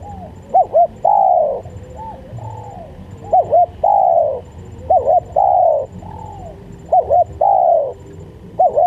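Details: Spotted dove calling, used to lure doves and tutor others: steady series of about six phrases, each a quick double note and a long descending coo, repeated roughly every one and a half seconds.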